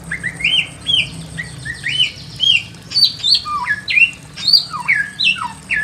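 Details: Lively song of a Pekin robin in a simple aviary: paired rising whistles repeated at an even pace, then sharper descending slurs and quick upswept notes, over a quiet hum.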